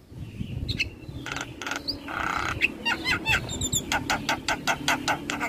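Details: Javan myna recorded as training audio for other starlings, singing with head-bobbing: mixed harsh rasps, a few upslurred whistles and squeaky twitters, ending in a fast series of sharp clicking notes over low background rumble.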